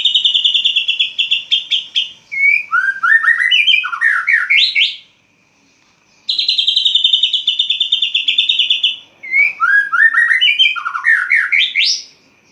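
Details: Caged white-rumped shama singing at dawn right after its cage cover is opened: two long bursts, each opening with a rapid buzzy high trill, then a run of varied slurred whistles dropping lower, with a pause between phrases.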